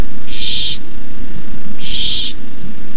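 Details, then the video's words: Nestling barn owls hissing at 9:57 pm, 18 May 2015, as an adult arrives with a rabbit; two long, airy, rasping hisses about 1.5 seconds apart over a low background hum. "Owlets hiss."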